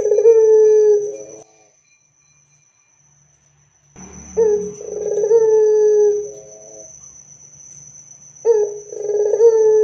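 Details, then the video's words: Loud, lively Barbary dove song played to encourage other doves to reply: a coo fades out, about two and a half seconds of silence follow, then two rolled coos with long steady tails start roughly four seconds apart. "PANCINGAN SUARA PUTER GACOR DAN KERAS AMPUH UNTUK BIKIN PUTER NYAUT BUNYI"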